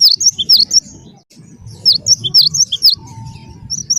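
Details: Cinereous tit in energetic song, used as a lure recording to prompt other birds to sing; very high, sharp whistled chirps in quick clusters of two or three notes, pausing between bursts, over a faint low rumble.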